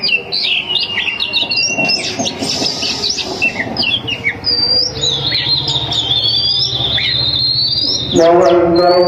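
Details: Female Oriental magpie-robin (kacer betina), a kept home bird, calling to lure males: rapid, varied high whistles and chattering notes with sliding phrases, over a low steady hum, ending with a harsher buzzy burst.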